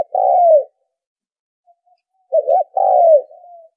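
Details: Lure call of a spotted dove: a long falling coo, a pause of nearly two seconds, then a stuttering double note leading into another drawn-out descending coo that tails off softly.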